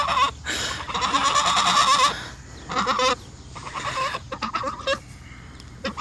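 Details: Two Sebastopol geese acting as bodyguards, protecting their owner from her dogs: harsh, buzzy honks in rapid bursts, a long rasping run early on, then shorter broken calls, with a woman talking and laughing nearby.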